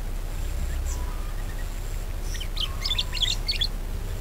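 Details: Budgerigar chatter used to lure other birds to sing: a faint chirp, then a lively burst of rapid squeaky twitters in the second half over a low steady hum.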